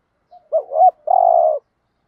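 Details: Spotted dove coo used to stimulate captive doves to coo: a short low hooting phrase with two quick notes, then one longer steady coo, all clean without background sound.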